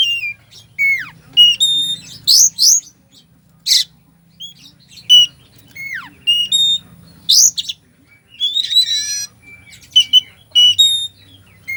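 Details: Oriental magpie-robin delivering a rich filler-laden song used as emotional bait for lazy birds: bright whistles, long falling slurs, rapid twittering runs and a few rasping buzzes, with a low constant hum behind.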